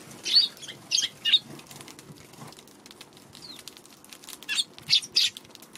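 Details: Eurasian tree sparrows on a March 16 afternoon at a feeding spot, wary of a Godzilla figure placed there; short bright chirps in small bursts of two or three, with pauses between, over quiet background.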